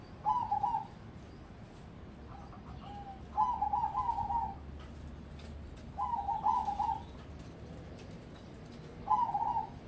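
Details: Zebra dove of crossbred line, groomed for song competitions, delivering four rolling, stuttered cooing phrases roughly every three seconds against a quiet background hum.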